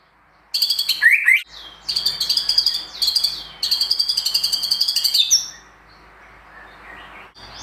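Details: White-rumped shama in a songbird contest simulation delivering bursts of fast, high, pulsed trills separated by brief gaps, with one dipping whistled note early on, then fading to quiet near the end.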